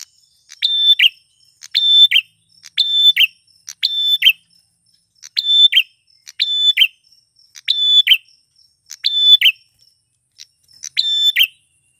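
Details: Male prenjak tamu klawu prinia singing to lure wild females: about ten repeated phrases of a clipped note, a flat clear whistle and a buzzy trill, with a gap near the end.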